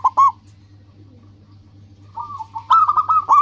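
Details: Zebra dove, local bird, singing to attract rival birds: a short double coo, a long pause, then a rising run of rapid, trilled cooing notes over a faint low hum.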